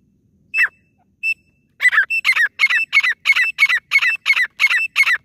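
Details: Female grey francolin (local desi teetar) calling to lure birds for hunting: two spaced notes, then a rapid, loud series of harsh, ringing repeated notes, roughly three each second.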